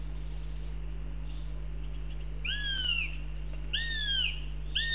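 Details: Northern goshawk in Riga, Latvia, giving three drawn-out, high, arching wails, each falling away at the end, about a second apart over a steady low hum of distant traffic.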